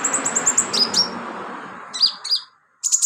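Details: Sunbird in full song, kept as filler song for training birds; fast ticking high chirps followed by a few sharp piercing whistled notes and a brief pause, over faint low background noise.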